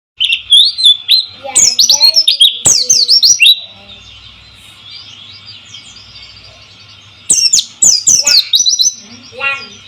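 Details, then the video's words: White-eye song used as a lure to get silent birds singing: bursts of rapid, high, downward-sweeping twittering notes, a quieter pause, then another chattering burst, over a soft murmur of flowing water. "pancingan burung pleci dan suara gemericik air mengalir cocok untuk mengatasi burung macet bunyi"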